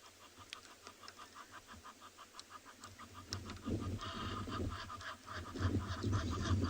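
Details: Egyptian geese at a waterhole in a South African game reserve, afternoon: a rapid run of short, nasal, regularly spaced honks, then louder harsh honking joined by low rumbling from other animals.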